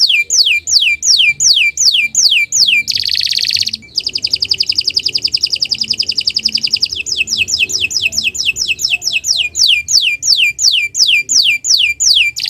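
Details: Canary morning song used as a master for other birds: repeated descending whistled sweeps, a long buzzy rasping trill, then rapid rolling chip trills and more sweeps.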